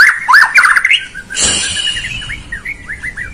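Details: White-rumped shama song used to provoke a lazy bird into singing: quick looping whistled phrases, then a burst of harsh noise, followed by softer descending slurred notes repeated about three per second.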